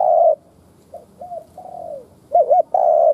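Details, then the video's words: Decoy spotted dove cooing to provoke wild doves: a strong flat coo, soft short notes and a gently falling drawn-out coo, then a loud wavering double note and another long level coo. "Tiếng cu mồi đất thúc - gù kích bổi"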